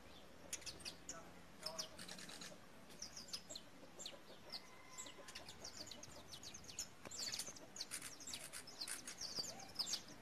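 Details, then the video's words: A female Belgian canary gives short, high chirps in scattered bursts, with several other small birds chattering in the background. "Fêmea de belga"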